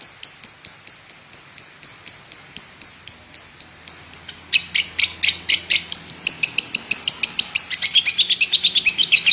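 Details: Lovebird giving its long unbroken 'batuk' (cough) call: a series of clear whistled chips that turn harsher and denser after four seconds, then speed up.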